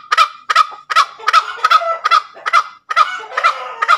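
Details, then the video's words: Ngekek cackle of a tame junglefowl: a quick series of loud, raspy clucks, some doubled, running about two or three per second with one brief pause partway through. "SUARA AYAM HUTAN NGEKEK SUPER MERDU"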